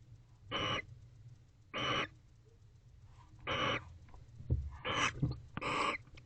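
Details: Bonded wild barn owls inside a nest box late at night, October 2024, following mating; coarse hissing shrieks in five bursts with soft clicks and shuffling between the last ones.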